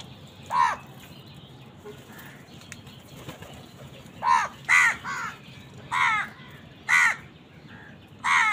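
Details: Crows squabbling with wild birds over food give scattered harsh caws, one early, then a cluster of four to five raspy calls in the second half, with soft rustling between.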